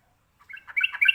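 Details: Sooty-headed bulbul singing in a ropelan style, a song said to make other birds answer; a quick run of bright chirpy notes that builds in loudness over about a second.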